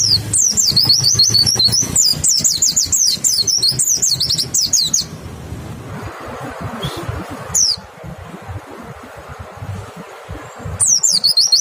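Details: White-eye lure song meant to make other white-eyes respond: rapid high twittering whistles for five seconds, then a lull with a low background hum, and a short burst of bright notes returning at the end.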